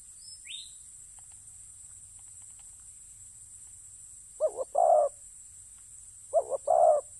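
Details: Spotted dove in a ground decoy-trapping setting, quiet at first, then two low two-part coos, a brief note followed by a fuller rolling one, about two seconds apart, with a faint high hiss throughout.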